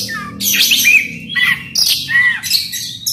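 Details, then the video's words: Chatty Oriental magpie-robin (kacer) singing rough mimicked fill-ins (isian kasar) as a lure to make a silent magpie-robin sing loudly: harsh broadband bursts mixed with short whistled downslurs, in quick irregular phrases. "Kacer gacor bongkar isian kasar PANCINGAN KACER AGAR NGEPLONG"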